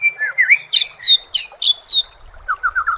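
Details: Shama song used as masteran for training songbirds: crisp, high, slurred whistles delivered in quick succession, followed by a softer run of four lower repeated notes.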